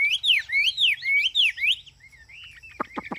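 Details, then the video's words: Caged Chinese hwamei singing ngũ trường style song on a hot day: loud slurred whistles swooping up and down in quick succession, then a pause with a few thin notes and three sharp dry clicks. "Ngũ trường chuẩn chỉ giáng siêu mẫu- Hoạt Hoạt Mi"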